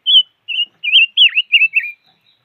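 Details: Silver-eared mesia delivering a clear phrase of six warbled, rolling whistles, the middle note swooping down and back up, in an otherwise quiet setting.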